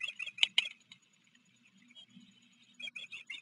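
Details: High, piercing chirps from ospreys on a Maryland river nest, July 2022, with a visiting fledgling from another nest among three young. Quick chirp clusters come at the start and again near the end, with a quiet pause between over a low hum.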